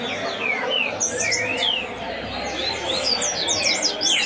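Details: A competition double-collared seedeater taken to a tournament sings a fast, unbroken run of high, sweeping whistles and sharp chirps, rising and falling without pause, over a faint background hiss.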